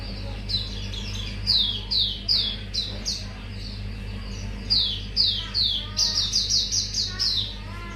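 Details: Mangrove whistler song as a lure: slurred descending whistles in irregular groups, ending in a quick string of higher, evenly spaced notes, with a steady low hum underneath.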